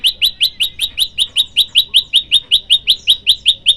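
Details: Male olive-backed tailorbird singing to call a female: steady, evenly spaced loud high chirps, roughly five per second, each a sharp downward-flicking note, with a quiet background.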